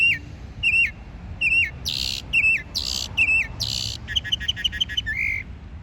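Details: A bird mixing several chirp types: clear whistled notes with a quick upward flick, alternating with rough buzzy bursts, then a rapid stuttering series of short high notes ending in a lower slurred whistle.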